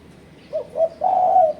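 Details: Spotted dove calling as a lure to challenge rivals: two short low coos followed by a long sustained coo.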